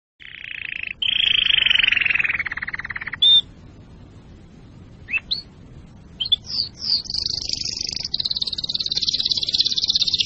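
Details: Domestic canary singing, song used to prepare canaries for breeding and to teach young birds: a loud buzzy roll that slides downward, a sharp high whistle, brief upward sweeps, then a long high rapid trill.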